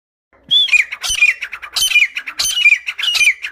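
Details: Female grey francolin recorded close up in the UAE during hunting: harsh squawking notes in repeated bursts, each with a short upslurred whistle, about five phrases in three seconds.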